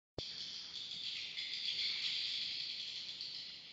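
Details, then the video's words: Swiftlets at a swiftlet bird house in Kota Klias, Beaufort, Sabah, giving a dense, unbroken chorus of high, thin chirps and twitters that starts abruptly and holds steady throughout. "Swiftlet Bird House"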